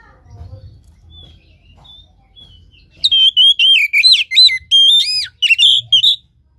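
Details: Loud, clear whistled song of an Oriental magpie-robin, used to prompt a lazy caged bird low in breeding condition: three seconds of rapid, repeated looping and dipping notes after near silence with faint chirps.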